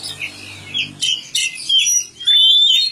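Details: Magpie-robin (kacer) in village care: short burst of song with a few rich whistled notes and a clear sweeping phrase at the end, after a faint low hum.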